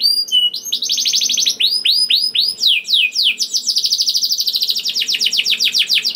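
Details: Lively canary song played to prompt other canaries to sing: bright arched whistled notes in fast tours, with the phrases speeding into a rapid, rattling run of sweeping notes near the end.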